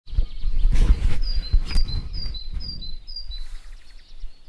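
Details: A yellow wagtail in the Teteriv river valley gives about eight thin, high, slightly slurred chirps, alternating a little in pitch, over heavy low wind rumble, with other birds singing.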